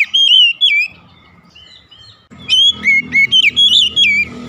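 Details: Oriental magpie-robin singing in the morning: a loud burst of clear whistled notes with rising and falling slurs, a pause of about a second and a half, then a rapid run of varied whistles and chirps.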